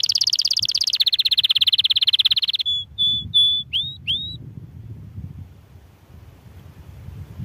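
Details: Canary singing: a fast, high buzzy trill for over two seconds that shifts pitch partway, then several short clear whistled notes and two upslurred whistles, followed by quiet background hiss.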